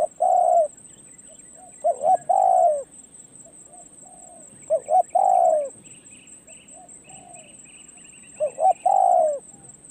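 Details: A perched decoy spotted dove repeats its call: a clipped double note, then a long mellow coo sliding downward, with long pauses between phrases. Faint chirping birds and a continuous shrill insect tone are heard.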